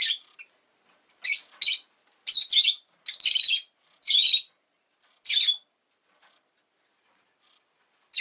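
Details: Harsh, buzzy high chirps from a rosy-faced lovebird, delivered in short bursts about once a second, some doubled, separated by clean silence.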